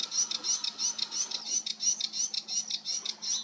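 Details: Sedge warbler, 28 June 2022, repeating one grating, high phrase about three times a second in a steady, rattling run over a low background hum.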